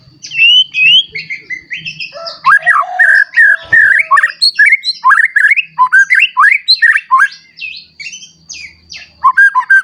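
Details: Captive white-rumped shama singing to provoke other shamas into song: a long rich run of looping whistles, chatters and slurred notes at a steady pace, with a brief knock and faint low hum.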